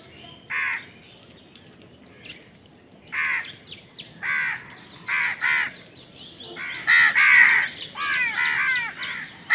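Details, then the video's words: Crows fighting for food give a series of short harsh caws, spaced at first, then crowding into a dense burst of overlapping calls toward the end. "Crow Bird Crowing Sound || Crow ki Awaz part 68 || Crow Bird Fight for Food"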